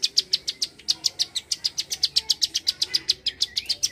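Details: A bar-winged prinia rattles off its klik call in dense rapid sequence, crisp high ticks in an uneven rhythm, with a brief rising whistle near the end.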